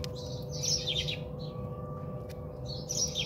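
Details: House sparrows bathing at a home in South Africa: two quick bursts of high chirps with a short quiet spell between, over a steady background hum.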